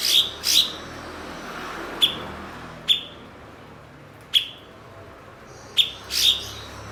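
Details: Blue-winged leafbird, known locally as cucak cungkok, a fluent mimic of other birds, kept as a master bird for training songbirds. Sharp, high chipping notes arrive at uneven intervals of about one to two seconds, some doubled, over a quiet background.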